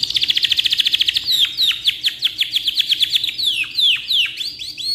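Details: Canary in full voice, its long song meant for tutoring: a rapid pulsing trill of evenly spaced notes gives way to slower, sweeping downward whistles repeated several times.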